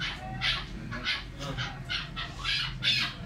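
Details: Chukar partridge uttering a steady run of harsh, raspy chuck notes, roughly two per second, over a constant low rumble of background noise.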